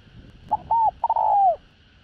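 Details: Spotted dove with a voice suited to luring wild doves. One phrase: a soft hoot, a clear arched whistle-like coo, then a long mellow note sliding slowly down. Faint hum in the background.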